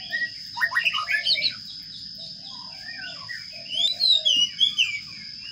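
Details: Nest-box sparrow chicks begging during feeding: a quick burst of sharp descending chirps, a quieter pause with low buzzy murmurs, then another run of high squeaky calls, over a persistent high whine.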